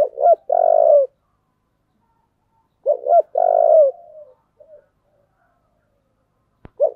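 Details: Spotted dove singing in the 'giọng thổ' voice style: low, mellow cooing phrases, each a quick pair of short notes leading into a longer drawn-out coo, repeated about every three seconds against silence.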